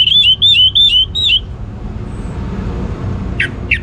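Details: Orange-headed thrush kept in northern Bali, singing in 'ngeplong' style: four quick, evenly repeated whistled phrases, each a looping up-and-down note, then fading to quiet hum with two faint clicks.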